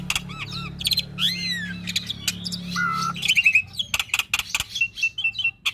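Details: Master song of a lively Javan pied starling for stimulating young or reluctant birds to sing: looping whistled slurs and a long low whistle give way to a dense run of sharp clicks and chattering notes.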